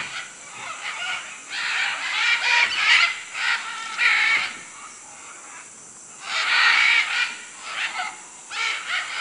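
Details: Macaws screeching in Manu, Peru, a cluster of rasping calls, then a quieter pause, then another bout of loud, grating squawks near the end.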